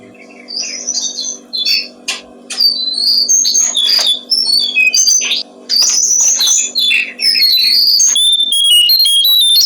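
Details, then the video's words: Song of a brown-streaked flycatcher, meant for training songbirds: lively bursts of high whistles, twittering trills and scratchy notes pouring out almost continuously, closing with a quick series of bright piping tones, with a faint background hum. "Masteran burung jongkongan coklat"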